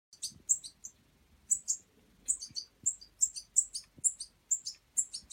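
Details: Hand-fed European juvenile goldfinch fledgling in wild bird aid care, giving rapid high thin chirps in bursts of two to four notes, repeated through the clip, with faint low handling noises beneath.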